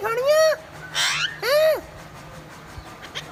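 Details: Parrot speaking Punjabi, giving three loud speech-like utterances. Two are smooth arched harmonic syllables and a raspy burst falls between them, followed by quiet background with faint low hum.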